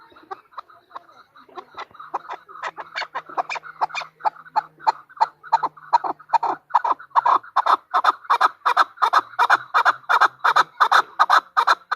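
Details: A female chukar partridge gives a long accelerating series of harsh clucks, starting faint and slow and building to a loud, fast, regular chattering rhythm, with a faint low hum partway through.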